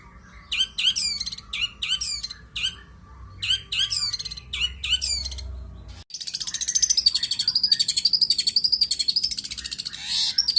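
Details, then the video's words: Long-tailed shrike giving lively "isian"-filled song: clusters of sliding high notes, then an abrupt switch to a dense, continuous, buzzy chatter of rapid pulses. "cendet gacor isian mewah"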